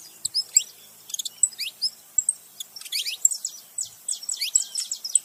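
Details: A saffron finch pair, male and female, makes noise together: bright, high chirps and curling slurred notes, sparse at first, then quickening into a rapid chatter.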